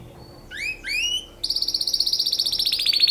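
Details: Mating song of a canary: two upward-sweeping whistled notes, then a rapid pulsing high trill repeated several times a second, bright and close with little background noise.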